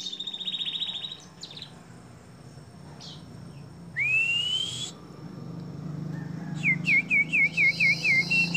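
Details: Domestic canary song from a long training recording for songbirds: a steady high whistle, a single rising whistled slur, then a fast series of looping up-down notes repeated about eight times in a row.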